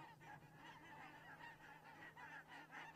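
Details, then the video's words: Geese recorded in Estonia on 15 October 2017 at 8:45 give loud, nasal honks. The honks repeat rapidly, about every quarter second, with overlapping voices forming a steady flock chatter and a low hum underneath. "Estonia Crane cam 2017 10 15 Geese 8:45"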